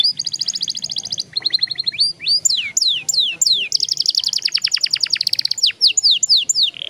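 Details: A young canary's long rolling song: steady rapid trills, a run of loud falling whistles, then a prolonged fast rattle of repeated notes with a few sweeps at the end.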